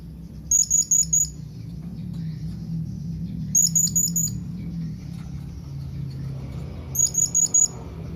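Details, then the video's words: Blue-crowned hanging parrot calling out to its companions with rapid runs of four or five piercing high squeaky notes, each burst separated by about three seconds of quiet, with low rumbling background noise. "Suara SERINDIT MEMANGGIL KAWAN"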